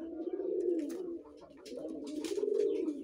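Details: A five-month-old red collared dove gives low, throaty cooing in two rolling phrases, a soft purring rise and fall about a second long, with faint background noise.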